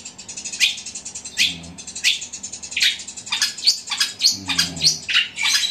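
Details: Rapid, loud sparrow-like fighting song from a long-tailed shrike: steep descending chirps spaced under a second apart, mixed with busy high twittering throughout.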